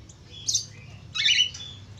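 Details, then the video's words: A budgerigar, recorded as a lure call to get other budgerigars singing, gives two quick bursts of scratchy, high chattering warble with squeaky chirps about a second apart, against a faint low hum. "Suara pancingan falk /parkit australia cepat gacor"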